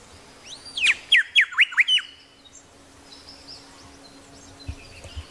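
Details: Grey shrike-thrush in Tasmania giving one bright phrase of about five rapid swooping notes after a rising upslur, followed by quieter background with faint high bird whistles and a low thump.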